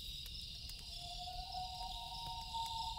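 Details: A loon at night draws out a long, gradually rising wail in two steady tones, faint beneath a loud, continuous insect chorus and snapping campfire crackles.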